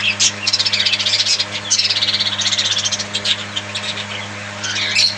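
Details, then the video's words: Caged budgerigars kept as pets chatter almost continuously, a dense run of fast, buzzy, rattling warbles with a few sharper chirps near the end, with a constant low hum underneath. "Bird Chirping Sound Parakeet friend's budgies parrot"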